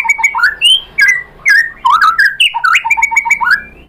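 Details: Lure recording of a white-rumped shama to provoke replies from other shamas: varied whistled phrases with rising slurs and warbles, ending in a quick series of repeated short notes and a thin drawn-out whistle.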